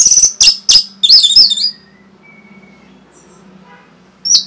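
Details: Orange-headed thrush rapid song played to provoke other birds: about 1.5 seconds of loud, high, shrill whistled and chattering notes, then near silence with a low hum and faint whistles, and a final sharp note.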